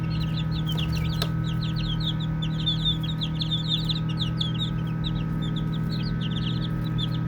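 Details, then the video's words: Playing baby chicks give a steady scatter of thin, high, brief peeps, softer and more spread out. A loud low hum and a couple of sharp clicks early on are also heard. "5 Minutes of Baby Chicks Chirping Sounds | Cute Playing"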